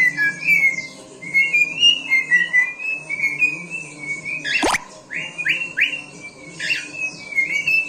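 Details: Male cockatiel, seven years old, whistling its song: a chain of wavering whistled notes, a sharp click, then quick rising swooped whistles and more warbling, with a constant low background hum.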